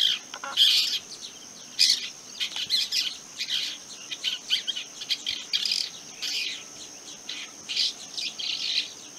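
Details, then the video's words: Long-tailed Shrike, also called Rufous-backed Shrike, giving harsh, scratchy scolding bursts of notes in quick irregular series, over a steady high thin whine that runs throughout. "call of long tailed shrike | call of rufous-backed shrike"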